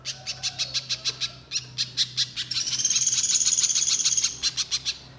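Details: Vigorous little spiderhunter song: steady series of hard ticking notes, several per second, running almost throughout, with a high thin whistled tone layered over the middle section.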